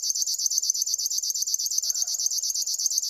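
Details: Short stretch of river warbler song: sharp, high, buzzy pulses, roughly nine per second, pounding out a regular, unbroken rhythm, with a quiet low sound entering near the end.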